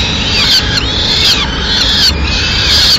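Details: Peregrine falcon at a Madrid nest, 6 May 2016, the female arriving with a pigeon; three loud, harsh, slurred wails, each falling slightly at the end, over dull traffic-like rumble.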